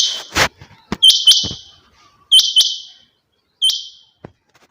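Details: After a brief noise, a female rain quail calls three times with sharp double-clicked, hissing buzzy notes, the last one softer, spaced about 1.3 seconds apart.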